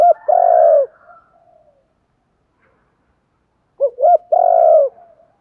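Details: Spotted dove cooing, a recording used to lure wild doves: two loud phrases, each two short rising notes followed by a long, steady, throaty coo, separated by a silent gap of about three seconds.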